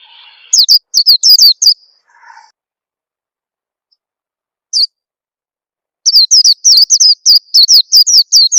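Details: Oriental white-eye lure call used to make young caught birds sing: a few high falling chirps and a faint lower note, a long pause with one lone chirp, then a rapid, dense chirping series.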